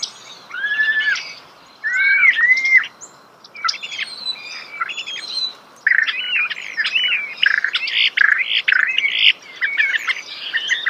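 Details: Close-range starling song: slurred rising whistles in short bursts, then a dense run of buzzy, rattling notes and chirps with brief pauses between phrases.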